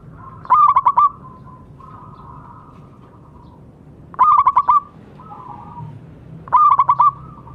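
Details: Zebra dove, a local bird singing well, played to encourage silent doves to sing. Three bursts of five quick, bubbling cooing notes are spaced a few seconds apart, with soft, long, murmuring tones in between.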